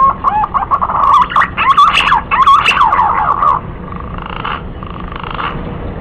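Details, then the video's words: Green pigeon calling with a chain of fluty, wavering whistles that swell into a loud, looping warble, then soften into faint, spaced notes against low hiss. "SUARA BURUNG PUNAI"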